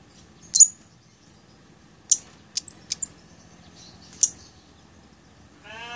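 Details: Blood-breasted flowerpecker song used for training songbirds and luring birds: sharp, very high, thin chips, a single note followed by several spaced clicks and short twittering ticks over about six seconds, with a steady high electronic whine behind.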